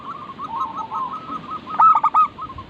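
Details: Local zebra doves singing as a training lure: a soft rippling string of coos, then a short loud burst of three rough notes near the end, with faint background cooing throughout.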